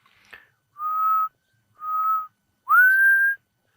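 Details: Black cuckoo, the first of the season, calling in the African bush on an afternoon on 2 October 2025 near a feeding cheetah coalition; three mournful whistled notes about a second apart, the last longer and rising, after a faint click.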